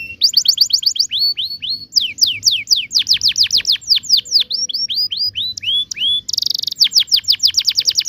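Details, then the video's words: Long, vigorous 'ngerol'-style canary song meant to teach young canaries to sing. Fast strings of high, clear, downward-sweeping whistles repeat several times a second, broken by one brief buzzy burst and then a quick rolling trill. "kenari gacor panjang TEMBAKAN NGEROL"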